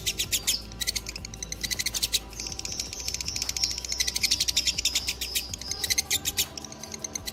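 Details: Long ngekek trill from a fighter lovebird, dobel minor line: dense, high, rapid pulses with a thin whistled tone running through the middle, continuing without a pause for the whole stretch.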